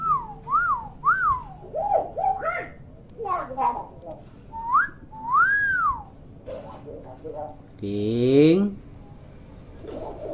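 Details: Captive hill myna named King, described as very vocal and chatty, in a quiet room: clear, arched whistles rising then falling, mixed with short chattering notes and a buzzy, speech-like phrase near the end.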